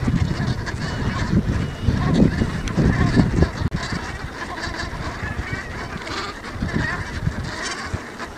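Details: Geese filling a meadow on Ameland keep up a loud, jumbled honking chorus that swells early and then eases slightly, while strong wind roars underneath.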